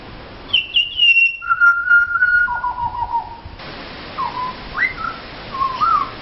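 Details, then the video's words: Wild Pied butcherbirds that visit for a feed sing for their dinner near Mt Gravatt; clear fluting whistles, a high note then steady lower tones, followed by short rising and falling whistled phrases. "Pied Butcherbirds singing for food"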